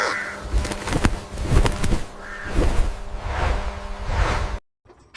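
A crow gives several harsh, hoarse caws spaced about a second apart over a steady low rumble and whooshing background noise.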